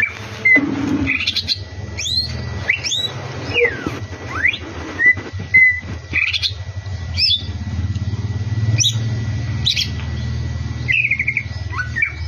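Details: Champion greater green leafbird song: scattered sharp whistled notes and quick upward and downward slurs at irregular intervals, over a steady low rumble like distant traffic.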